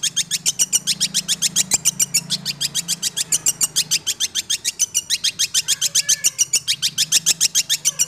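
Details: A captive six-month-old long-tailed shrike pours out a fast, harsh chattering song of sharp notes repeated about three or four times a second without pause, with a low hum underneath.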